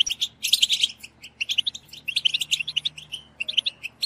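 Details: Several European goldfinches in a batbata chorus meant to prompt singing: clipped, high chirps and short twittering runs with clear gaps between bursts, over a faint low hum.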